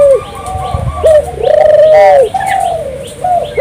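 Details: Turtle dove singing vigorously, a recording used to stimulate local doves to sing; clear mid-pitched cooing notes, some drawn out and slightly wavering, others short, running almost continuously with faint background rustle.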